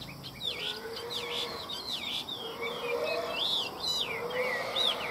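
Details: Chinese hwamei, a caged bird kept for sale in Vietnam, repeating looping, up-and-down whistled notes about twice a second. A soft, low, drawn-out tone sounds beneath, and faint background noise runs throughout.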